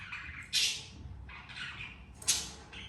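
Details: Two parent budgies with their two babies; coarse squawking calls in three bursts, the first and last sharp and loud, a softer chattering squawk between them, with light room hum.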